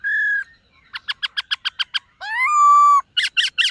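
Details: Black-throated laughingthrush (white-cheeked) in morning voice-practice singing: a long steady whistle, a fast run of eight clipped notes, a rising then level drawn-out whistle, and three bright buzzy final notes.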